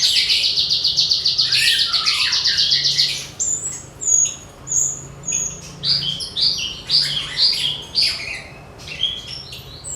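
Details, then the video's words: Javan bush lark singing, played so other songbirds open their beaks and sing: a loud, dense, high buzzy trill, then scattered sharp chips and short whistled notes, with a faint low hum. "MASTERAN BRANJANGAN BIKIN SEMUA JENIS BURUNG BUKA PARUH"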